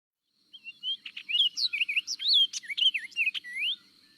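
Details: Orchard Oriole singing from a tree in summer at Kankakee Sands, Newton County, Indiana: a rapid, loud warbling jumble of whistled and slurred notes swooping up and down, with a few harsh buzzy chatters.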